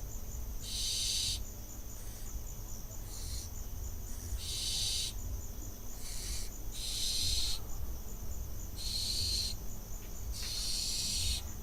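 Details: Barn owl fledgling on an Israeli nest camera, 6 June 2021, learning to land; a series of hoarse hissing screeches, some longer and louder, coming every one to two seconds over a persistent high whine.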